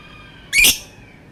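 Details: Lovebird making one short, shrill, rasping screech in a quiet setting.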